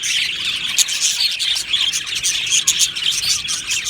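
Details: Many budgerigars in an aviary colony chirping together, a dense continuous chatter of high warbled notes and sharp tweets with no pauses, several brighter whistled notes standing out above the crowd.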